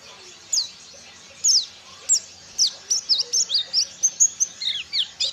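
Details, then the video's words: Ciremai white-eye practising ngalas, copying wild bird songs: a few spaced, high, downslurred chirps at first, then a quickening series of short bright notes about every quarter second, over a soft low background hum. "BURUNG PLECI DAKUN CIREMAI BELAJAR NGALAS"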